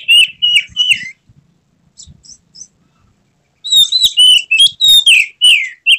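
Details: Agitated magpie-robin displaying with its tail open, giving its full repertoire: loud whistled notes, a quiet pause with faint chips, then a rapid run of strong rising and falling whistles.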